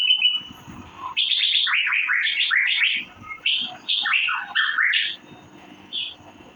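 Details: Asian fairy-bluebird, or cucak biru, giving a quick tumbling series of chirps, each note slurring downward, broken by short gaps and fading into quiet during the last second or so.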